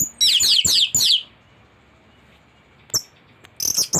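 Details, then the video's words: Thrush song used as a master recording to tutor caged birds: a burst of quick, rising-falling high whistled notes, then silence and a brief chirpy phrase near the end. "Anis gacor teler isian komplit materi masteran burung anis pancingan bunyi"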